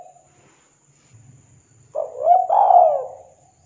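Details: Spotted dove call meant to draw replies from other doves: faint low murmuring first, then a single loud phrase of a short coo followed by a long, slurred, descending coo.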